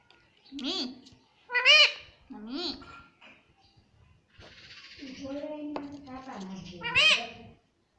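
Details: Talking pet Indian ringneck parrot repeating "mummy papa": several arched, strongly harmonic word-like calls, one longer steady, lower-pitched phrase in the middle, and a final bright syllable.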